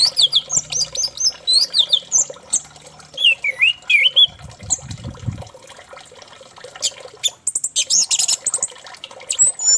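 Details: Orange-headed thrush song used as a lure to make other thrushes sing: a rapid, varied run of high whistles, slurred notes and harsh squawky phrases with barely a pause, plus a brief low rumble midway.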